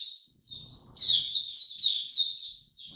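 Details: Oriental white-eye singing in the 'buka tiong aw' style during form training, recorded 3 January 2022: a continuous stream of high, slurred twittering notes, about three or four per second, fairly loud and clear.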